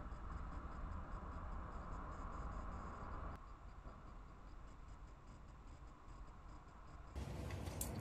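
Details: Low rumbling mechanical noise with rapid irregular ticking, like a train or machinery, and a brief brighter rattle near the end. No animal calls.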